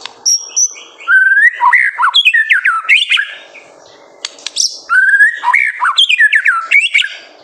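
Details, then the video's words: A White-rumped shama in lively song, meant to provoke juveniles: two long phrases of rich, varied whistles with rising sweeps and quick trills, separated by a short pause. "MASTERAN MURAI BATU GACOR SANGAT COCOK UNTUK MEMANCING EMOSI MURAI BATU MUDA ATAU TROTOLAN AGAR CEPA"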